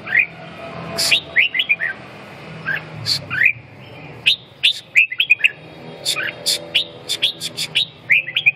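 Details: A red-whiskered bulbul gives a lively run of short whistled notes, many rising then falling, about three per second in uneven bursts, with scattered sharp clicks.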